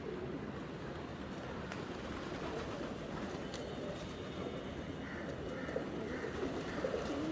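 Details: Pigeons feeding in the morning give low, overlapping murmured coos beneath a steady rumble of background noise, with a few faint higher chirps toward the end.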